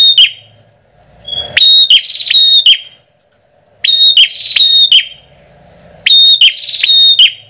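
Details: Bar-winged prinia, used as a lure call, gives loud, sharp, high chirping bursts in rapid runs of notes, each run about a second with short pauses between; a faint low hum underneath.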